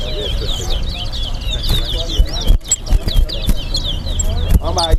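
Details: Competing Chestnut-bellied seed finch (towa towa) at a bird singing match in Guyana: quick high twittering phrases, briefly broken, then resuming, with speech and occasional thumps from the surrounding crowd.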